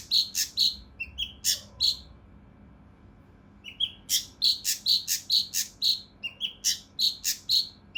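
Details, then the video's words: Cucak rante mas, the mountain leaf warbler, delivers a coarse, tightly packed 'tembakan kasar rapat' burst for training contest songbirds: runs of loud raspy chips, a pause of about two seconds, then another fast harsh run. "KINOI EMOSI | TEMBAKAN KASAR RAPAT UNIK | SUARA CUCAK RANTE MAS UNTUK MASTERAN BURUNG LOMBA"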